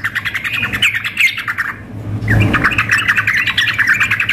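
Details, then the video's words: In a contest simulation, a sooty-headed bulbul female calls a male while a lively male sings: dense scratchy chattering, a short lull, then renewed continuous warbling over a steady low hum. "trucuk memanggil dengan trucuk gacor mengamuk"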